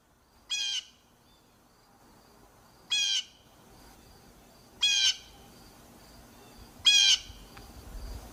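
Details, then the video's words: Blue jay giving four harsh, nasal jeer calls, each short and raspy, spaced about two seconds apart over a quiet background. "Blue jay"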